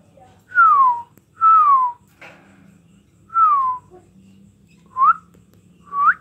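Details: Young blue lovebird chick, still small, giving clear whistled calls that slide downward, about five in six seconds, the last two shorter and rising at the end; faint low hum in the background.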